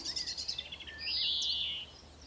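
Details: A European greenfinch in trees gives a few quick high chirps, then a long wheezy note rising and falling, likened to someone trying to start an engine in the morning, against faint outdoor background noise.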